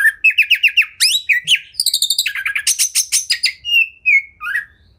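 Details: Kacer, the Oriental magpie-robin, in a champion masteran recording packed with bursts: quick stuttering whistled notes repeated in series, shifting to loud trilled chatter and ending with falling slurred whistles.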